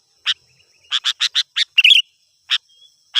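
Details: Sooty-headed bulbul in full lively gacor song, used as a lure said to rile up wild birds. Sharp, bright chirped notes come in quick groups, with one busier twittering burst in the middle and single chips at the end. No other sounds.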